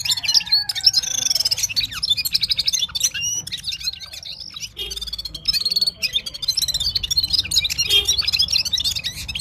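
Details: Gulsar, a Himalayan bird from Parachinar, singing at full power: a rapid, continuous high twittering warble of squeaky, chirping notes running without pause, with a faint low hum underneath.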